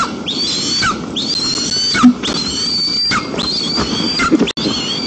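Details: White-tailed eagle family visiting their nest in daytime, 1 September 2022, Almetyevsk region, Tatarstan, Russia: thin high whistled calls that rise then drop, repeated about every second, over steady wind noise.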